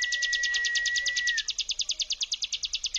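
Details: A prinia's buzzing "ngebrem" song, used as a lure to provoke other birds: a fast, dry trill of about ten high notes a second, with a thin steady whistle beneath it for the first half.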